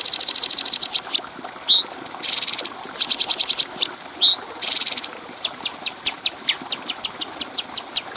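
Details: Stripe-throated bulbul (cucak cungkok) training song for tutoring other birds: rattling trains of very high ticks, short upward-sweeping whistles, harsh buzzy bursts, then a steady run of evenly spaced sharp notes.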